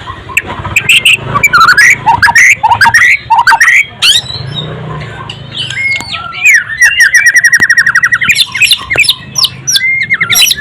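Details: White-rumped shama, described as golden-voiced, sings rapid varied whistled phrases and harsh notes, pauses briefly, then breaks into a long, fast, even trill of repeated notes with scattered clicks.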